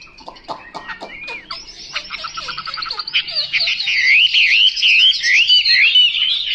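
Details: Chinese hwamei singing: a few sharp clicks and short downslurred notes build into a loud, continuous rich warble of rapid looping whistles that grows stronger toward the end.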